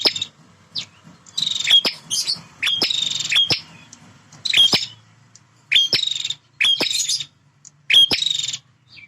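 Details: Male bar-winged prinia, a fighting bird that defends its territory, repeating about seven loud, grating, buzzy bursts at irregular intervals, each cut with sharp ticking notes.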